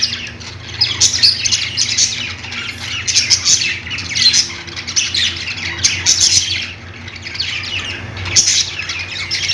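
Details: Flock of budgerigars chirping: continuous overlapping scratchy chatter and squawks rising and falling in loudness, with a faint low hum throughout.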